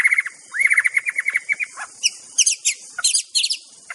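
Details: Aceh white-rumped shama song used as a master recording: a fast trilled stutter of repeated whistled notes, then scattered high thin chips and clicks.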